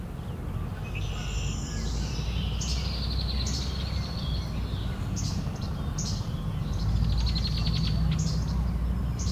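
Red-winged Blackbirds trade sharp, high, buzzy calls in quick bursts, several a second, as they argue, over a strong low rumble of wind and distant traffic.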